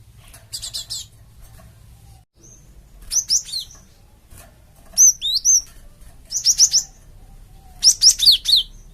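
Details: Java sparrow calling to provoke a flock into answering, with repeated bursts of three to four sharp high chirps, some twisting and slurred, coming roughly every one to two seconds.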